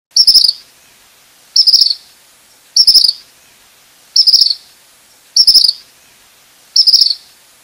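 Tropical Kingbird giving six short, high twittering bursts, each under half a second, repeated about every second and a half against a quiet background.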